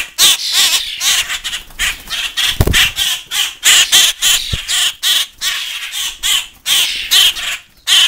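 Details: Captive hand-raised common grackle fledglings and starlings in a feeding frenzy, still demanding to be hand fed: a dense, nonstop stream of overlapping harsh, scratchy squawks from several birds, with a couple of soft thuds.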